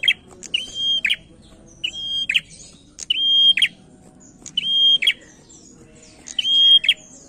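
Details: A captive male prinia, kept as a lure to prompt other birds to sing, repeats a high phrase about every 1.4 seconds, five times: sharp snapping clicks around a thin, steady whistle, over a faint low hum.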